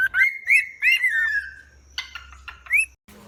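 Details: Cockatiel; mating call; courtship during breeding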